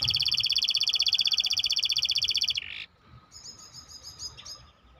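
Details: Maestro bird delivering a loud, steady, very fast high trill for over two seconds. A brief harsh buzz follows, then a quieter, fainter trilled phrase.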